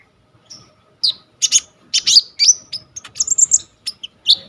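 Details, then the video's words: Purple-throated sunbird (kolibri ninja), a lively, full-repertoire singer used as tutor song for training birds, recorded on a vivo Y21 phone: sharp high chirps and short buzzy trills in scattered bursts with brief pauses between phrases. "KONIN GEACOR FULL ISIAN 99% COCOK BUAT MASTERAN KOLIBRI NINJA TROTOL/IJOAN"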